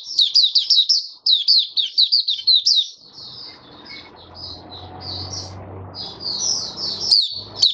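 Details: Caged oriental white-eye delivering a fast run of high chirped notes, about two a second, followed by softer scattered warbles over low background noise.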